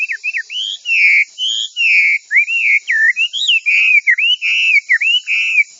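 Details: Chinese hwamei song used as a master for training birds: a string of clear, looping and downslurred whistles with short gaps, over a steady high hiss.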